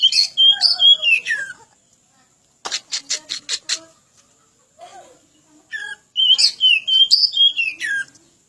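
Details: Oriental magpie-robin (kacer) training song: bursts of clear sliding whistles, then a run of about five rapid harsh rasping notes, a short quiet gap, and more whistled descending phrases.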